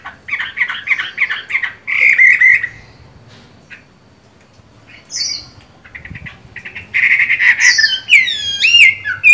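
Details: Chinese hwamei with green-bean eyes, singing during its moult: bursts of fast warbled whistles separated by quiet gaps, a few isolated chips, then a loud finale of rising, swooping whistled notes.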